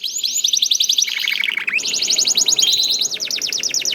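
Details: Canary song meant to prompt other canaries: a fast, steady trill of high pulses that drops to a lower rolled series, then rises back into a long rapid high trill.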